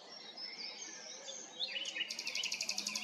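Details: Nightingale singing at Arcais, France: thin, high drawn-out whistles at first, then a fast burst of sharp high notes repeated about four times a second, faint against a steady outdoor hiss.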